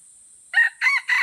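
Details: Junglefowl crowing in a crowing contest at Kuta Malaka, Aceh: a short crow of three harsh, harmonic syllables, the last two longer, over a steady high thin whine in the background.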